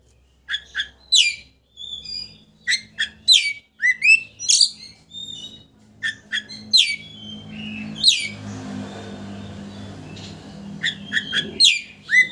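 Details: Oriental magpie-robin singing to rouse a rival's aggression and make it spread its tail; rapid series of sharp sweeping notes and whistles with varied phrases, over a low background hum.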